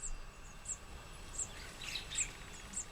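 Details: On a fresh morning, weaver nestlings in several nests hanging from a tree, filmed by a hidden camera while the parents are out foraging, give thin, very high chirps about every two-thirds of a second, with softer, lower cheeps between.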